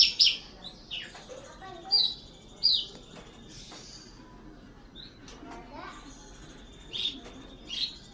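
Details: A captive Horsfield's (Javan) bush lark, singing prolifically, gives sharp, high chirps and buzzy phrases in scattered bursts every second or so, over a faint steady high whine and soft background hiss.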